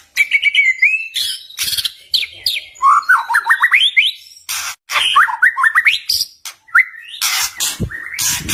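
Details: White-rumped shama song used to lure rival shamas and provoke silent birds into answering. Loud, varied whistles with rising slurred phrases and rapid up-sweeping note series, interrupted by harsh broadband rasps and crackles.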